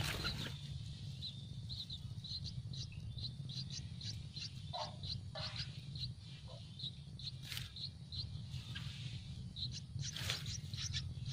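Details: Yellow-vented bulbul nestlings begging for food in a nest on a tree: a fast run of thin, high chirps continues throughout, with occasional louder broadband rustles and a low rumbling background.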